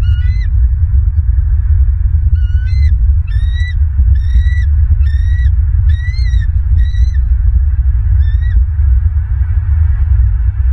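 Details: Nesting bald eagle in Southwest Florida, 16 December 2022, early afternoon: a long sequence of about eight high, piping, upward-inflected chitters that fades to a final faint note, with constant low wind rumble throughout.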